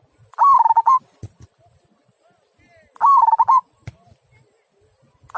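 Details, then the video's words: Kung-style song of a local zebra dove, big-voiced: two rapid rolling coo phrases about two and a half seconds apart, each a burst of stuttered notes, with scattered clicks between and a third phrase starting at the end. "Perkutut Lokal Suara Kung"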